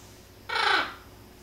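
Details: A female Eclectus parrot in the background gives a single harsh, raspy squawk, about a third of a second, in quiet indoor room noise while a 14-week-old sun conure performs tricks.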